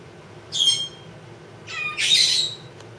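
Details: Congo African grey parrot, a two-year-old female pet, answering her owner indoors with two high, harsh squawks, the second longer and fuller, with a whistled tone running through it.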